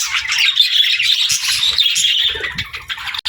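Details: Pet budgerigars chirp rapidly in a bright, twittering warble of quick notes, fading slightly toward the end before a sharp click closes the passage.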